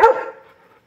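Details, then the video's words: A young Buff-necked ibis on a Brazilian farm gives a single loud, harsh, honking note that starts abruptly and fades within about half a second. "CURICACA EM CANTORIA"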